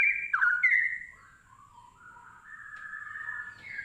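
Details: Straw-headed bulbul (cucak rowo) opening with a short burst of loud warbled notes, then drawn-out, softer whistled tones that dip low and slowly rise again.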